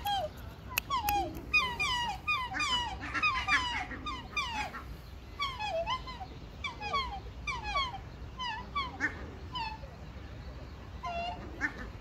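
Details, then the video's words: Two black swans trade high, musical bugling notes, many sliding downward, in quick overlapping bursts about every second, over a low background rumble. "Song of two black swans"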